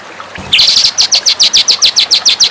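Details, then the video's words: White-rumped shama singing for a training master: after a brief low thump, a rapid series of high, slurred downward notes, evenly spaced about five per second, bright and loud throughout. "masteran murai batu bikin murai anda istimewa dan jadi raja disetiap gantangan"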